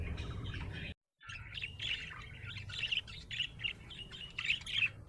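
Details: Happy budgerigar chatter after a short silent break, building into bright squeaky chirps and clipped whistled notes that grow louder toward the end.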